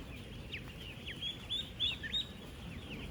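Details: Thousands of 10-day-old ducklings on a duck farm, a flock of about 16,000, calling together: dense high chirping peeps, short rising and falling notes overlapping rapidly over a steady low rumble of farm noise.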